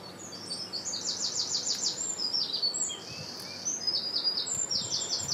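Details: Great tit near a large nature reserve beside a retreat centre: rapid bursts of short, high, thin notes, each dropping slightly in pitch, grouped in quick runs with a brief pause midway, over soft steady background hiss.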